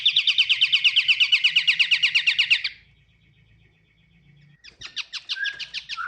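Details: Pied triller delivering a rapid rattling trill of roughly twenty-two sharp repeated notes over nearly three seconds. A quiet low hum runs underneath, and after a short silence a second trill begins.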